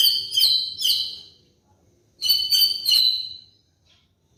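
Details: Shrill high-pitched chattering notes from a White-rumped shama used as a training lure for molting birds, in two dense bursts separated by a quiet gap, with low background hum.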